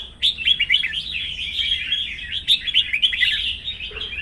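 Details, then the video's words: A bird with newly completed plumage sings in a morning singing contest, pouring out a fast, dense, high twittering warble of chirps and trills with no pauses. "sáng hót đấu"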